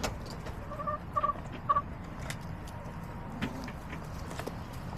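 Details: Backyard chickens on April 23, 2024, with hens clucking: three short, tonal clucks in quick succession, then a fainter drawn-out note, over a steady low rumble and scattered clicks.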